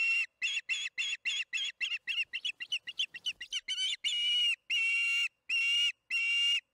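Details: On June 21, 2019 at 8:15 pm MDT, an osprey at the Charlo nest calls during evening feeding: a fast chatter of shrill chirps slows into four longer, drawn-out whistled squeals.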